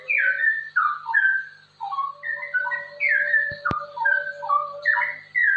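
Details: Rapid ropel song of a straw-headed bulbul, intended as a training recording to stimulate other bulbuls to sing; fluty descending whistles in clustered bursts with brief gaps, one sharp click midway, and a steady low tone throughout.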